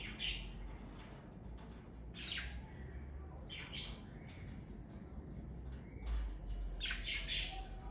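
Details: Harsh, grating squawks and chirps from a family of pet parakeets, in bursts every second or so, the last one a busy double call, with a low rumble underneath.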